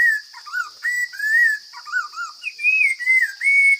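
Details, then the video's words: Forest Chinese hwamei delivering a varied song: ringing whistles alternate with lower, bouncing double notes, then climb to sustained higher whistled phrases. A continuous shrill buzz sits behind the bird. "Coob hav zoov quaj tau zoo kawg!"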